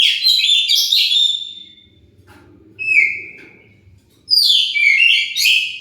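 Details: Lure song of an Oriental magpie-robin, played to provoke other birds to answer: a rich, tumbling burst of whistles, a pause, one clear down-slurred note, then another fast, jumbled whistled phrase.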